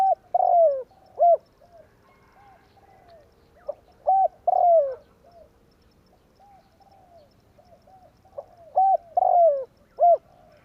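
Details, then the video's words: Spotted dove tarik akar call used to lure birds into traps: three phrases of clipped coos and a long, falling drawn-out coo, each phrase closing on a short note, spaced by silent pauses. "burung tekukur tarik akar/សំលេងលលកធ្នាក់លឺល្អ100%/Suara pancingan derkuku kuk 1."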